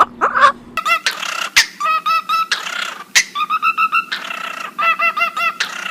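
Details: Parrot vocalising indoors: bursts of short, ringing, harmonic chirps and squawks in rapid, uneven runs, broken by brief gaps, over a low steady hum.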